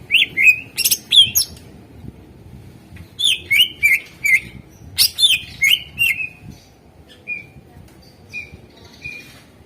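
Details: Greater green leafbird singing as a lure to make other birds sing: lively bursts of high, sharp whistled and chattering notes in rapid clusters, then softer repeated single whistles toward the end, with faint low background rumble.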